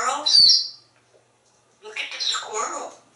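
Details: Pet African grey parrot in a Texas home imitating other animals: a short harsh squawk with a sharp click, a second of silence, then a longer scratchy, noisy chattering burst.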